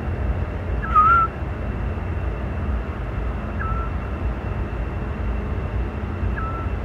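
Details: A Eurasian scops owl sings at dusk in May 2017 in Parque Lineal del Manzanares, giving short, soft, whistled single notes about every two and a half seconds over a steady low rumble of distant traffic.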